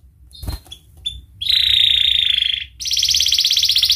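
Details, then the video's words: Canary song aimed at young canaries learning to sing: brief clicks and knocks, then a sustained buzzy rolling trill, a short pause, and a second dense, rapid trill. "kenari gacor panjang Cuit Cuit EMOSI, Pancingan Kenari Paud Belajar Bunyi"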